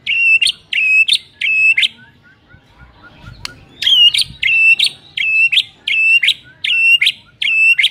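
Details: Morning song of a White-rumped shama used to rouse a rival shama into singing: a loud phrase of steady whistled notes ending in sharp flicks, repeated about ten times at a quick, fairly even pace after a short quiet gap.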